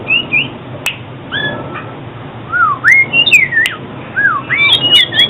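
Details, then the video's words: Oriental magpie-robin song used for trapping and song training: clear whistled notes sweeping up and down, each lasting a fraction of a second, spaced with gaps, occasional sharp clicks. "Tiếng chích chòe than chuyên dùng đi bẫy và luyện giọng chim hót hay mỗi ngày"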